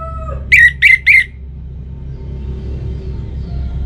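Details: Orange-headed thrush giving three quick, loud, ringing whistled notes at about the same pitch, with a faint lower tone just before and a steady low hum behind.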